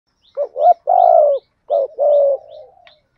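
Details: Spotted dove kept as a decoy to lure wild doves, cooing: two quick rising notes followed by a long, level, slightly falling coo, then the phrase repeats with a trailing fade.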